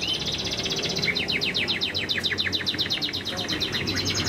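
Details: Moulting Chinese hwamei kept as a cage bird delivering a fast, even series of sharp, repeated high notes, almost a rattling trill, over a steady background hiss.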